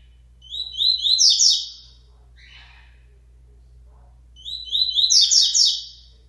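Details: Double-collared seedeater born in the region, coming out of moult and returning to song: two fast phrases of high, rapidly repeated chirping notes, rising then falling in pitch, about four seconds apart, with a low steady hum beneath.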